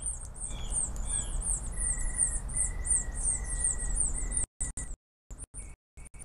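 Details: Nestling birds in a nest, 7 July 2012, calling on their parents to feed them: rapid, thin, very high chirps, several a second, over a steady high whine and low rumble, with brief dropouts near the end.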